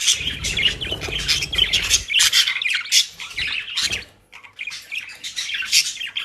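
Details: Several captive budgerigars kept as pets in Den Haag, Netherlands, enjoying dry leaves and grass; busy squawky chattering with sharp repeated chirps and harsh notes, broken by one short pause.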